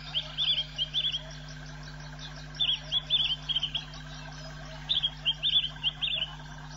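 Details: Swallow-tailed bee-eater (Merops hirundineus), captured on an African wildlife webcam, gives short, high chirping calls in quick bursts, repeated every couple of seconds.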